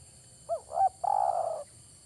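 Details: Luring call of a spotted dove used in trapping, a single phrase of two brief curving coos and one sustained burry coo, clean and close.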